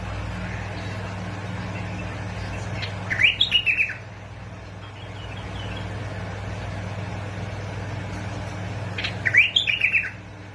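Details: Bulbul song recorded in Basra and Fao, Iraq, to stimulate bulbuls: two matching phrases of rapid, descending chirped notes about six seconds apart, each under a second, over a continuous low hum.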